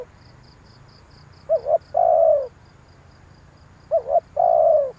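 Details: Cooing of a spotted dove used to lure wild birds, two phrases, each a rapid wobbling double note leading into a long, mellow, falling coo. A high, rhythmic chirping pulses softly throughout.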